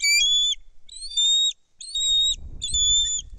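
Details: At a Kistachie National Forest nest cam, 10.12.2023, a bald eagle calls while a foreign female arrives carrying a fish and a second eagle flies above; a run of four piercing, flat whistled notes, with low rustling near the end.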